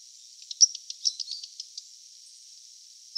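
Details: Daurian redstart, newly arrived in autumn when it may call intensely, gives a quick, strained, squeezed-out run of thin, high scratchy notes, then a lone sharp high whistle after a short pause; faint hiss behind.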